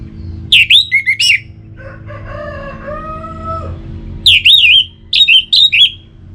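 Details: Orange-headed thrush song for getting kept birds to sing; loud swooping whistled phrases at both ends, with a rooster crowing in between, over low background hum.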